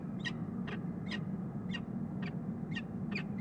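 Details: A pair of Peregrine falcons bonding in a nest box on a Columbus, Ohio tower in March 2015, giving harsh, scratchy notes about two per second against a constant low mechanical hum.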